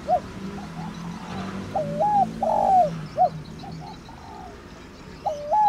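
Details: Thổ đồng spotted dove calling to stimulate captive doves: a sequence of short and drawn-out coo notes at even mid pitch, some dipping, others falling, with a short break before a final rising coo and light low background noise.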